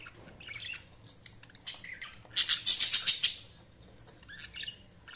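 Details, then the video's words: Scattered budgie chirps lead into a loud, fast series of bright repeated notes lasting about a second, followed by quieter chatter. "Budgies Chirping sound"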